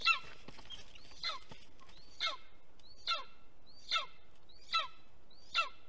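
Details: Golden eagle at a nest in Estonia, 2021, via nest camera: faint, regular, high yelps falling in pitch, repeated roughly every 0.8 seconds, over low rumbling background noise.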